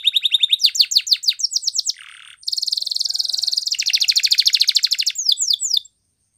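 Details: Canary training song: a whistled note, rapid falling slurs, a low buzz, then a long fast rolling trill ending in a few descending sweeps.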